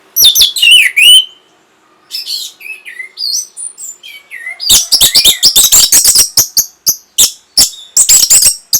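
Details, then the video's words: Rich song of an orange-headed thrush for stimulating breeding and a response: sweeping whistled slurs and looping notes, then a fast stream of sharp chips and trills, roughly three notes a second. "NYANYIAN BURUNG PUNGLOR PEMBANGKIT BIRAHI"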